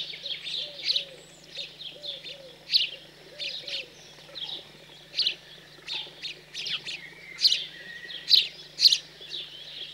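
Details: House sparrow fledglings being fed just after leaving the nest, on 15 June 2020 in cold countryside in central France: sharp, high begging chirps in irregular bursts, several each second, over a steady low hum and fainter softer notes.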